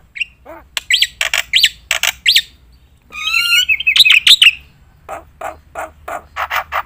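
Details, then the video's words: Varied black-winged myna song recorded as a master track for contest birds: rising whistles and squeaky notes, a buzzy warbled phrase in the middle, then steady rapid chatter. "jalak putih gacor full nembak isian"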